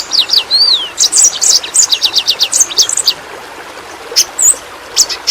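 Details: Yellow-rumped flowerpecker, endemic to Kalimantan, as a training recording for caged songbirds: a fast string of high, thin, slurred chips for about three seconds, then scattered single sharp notes against steady background hiss.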